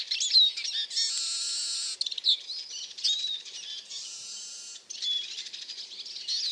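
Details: Eurasian siskin giving high chirps and twitters broken by two long, drawn-out wheezy buzzes, each lasting about a second.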